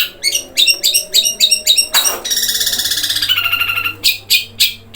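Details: Rapid 'gereja kuntilanak' roll from a long-tailed shrike: clipped buzzy chirps, a sharp crack, then a sustained rattling trill before spaced harsh notes resume, over a soft hum.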